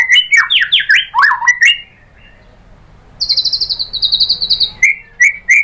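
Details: Lure song of a white-rumped shama for provoking singing. Loud, sweeping whistled notes are followed by a pause, then a very high, rapid, even trill and a few repeated chirps.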